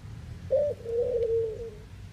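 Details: One full low coo from a Eurasian collared dove in the Netherlands, a brief clipped start followed by a long, quavering note that slowly trails downward.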